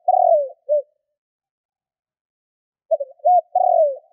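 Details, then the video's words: Spotted dove lure call, known locally as kích bổi: the tail of one low cooing phrase with a long falling coo and a short closing note, then silence, then the clipped notes and long coo of the next phrase. No other sounds. "Cu gáy Kích bổi / Tiếng cu gáy gọi bôi"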